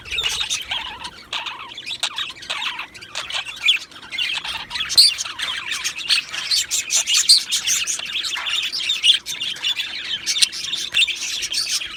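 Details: Two male budgerigars keep up a long run of chirping warble, mixing scratchy chatter, crisp tweets and occasional clear whistled notes, lively and continuous.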